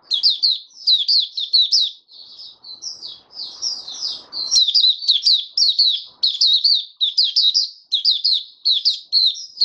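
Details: Caged white-eye in sustained song, dense sequences of high, rapid, twittering notes rising and falling, with a short softer stretch and light rustling midway.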